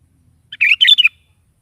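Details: Sooty-headed bulbul, lively morning singing played to coax a caged bulbul into answering; a single quick burst of three chattering, liquid notes, no other sounds.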